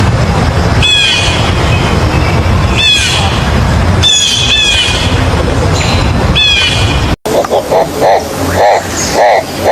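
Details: A bird repeating clear whistled notes that slide downward, one phrase about every two seconds, against loud rushing background noise. After an abrupt break comes a different stretch of pulsing, lower sounds.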